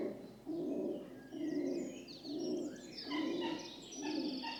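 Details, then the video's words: A rock dove's soft cooing repeats about once a second beneath a chorus of thin, high twittering calls from other birds. "Rock Dove (Columba livia) Sound Effect"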